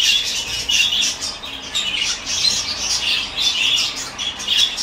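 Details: Peach-faced lovebirds in a breeding setup, mating, give loud shrill squawks indoors, coming in rapid overlapping bursts about every half second with brief dips between, harsh and high-pitched throughout.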